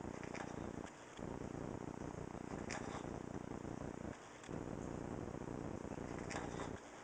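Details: Louie, a macaw, sleeps with his eyes open and snores in a steady, raspy, breathy rush, broken by short pauses about every three seconds.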